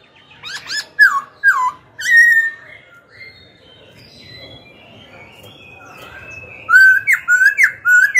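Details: Black-throated Laughingthrush song used to provoke wild-caught rivals and coach young birds. Three loud down-slurred whistles, a softer warbling passage, then a rapid run of rising, looping whistled notes.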